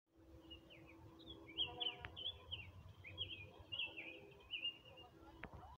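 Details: Hepatic tanager sings a series of short, slurred, warbling phrases at a high pitch, separated by brief pauses, against low rumbling background noise, with two sharp clicks.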